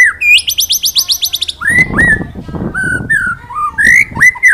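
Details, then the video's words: White-rumped shama with 'wit wit cerrrr' phrasing in the 'ngalas nembak' style, meant to tutor other birds. A quick rattling trill is followed by a series of slurred, looping whistles, with light background rustling. "Masteran Burung Murai Batu Ngalas Nembak Wit Wit Cerrrr,Suara Murai Gacor"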